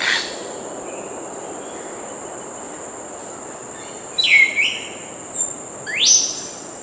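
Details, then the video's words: Grey parrot (Psittacus erithacus) gives two brief whistles, one dropping then swooping, the other a sharp rising sweep, over a steady high insect-like hum. "Canto do Papagaio Cinza Africano"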